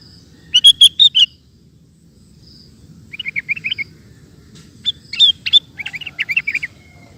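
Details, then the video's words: Actively singing sooty-headed bulbul used as a training recording for cage birds: a loud burst of four rich buzzy notes, a soft run of quick chirps, then mixed loud and bubbly phrases, over faint low background. "Suara Burung Kutilang Gacor Cocok Untuk Masteran"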